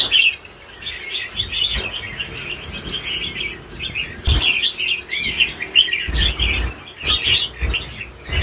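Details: Caged red-whiskered bulbul, an older bird, singing bright, warbled phrases of quick rising and falling notes in bursts, with brief pauses and low thumps and knocks between phrases.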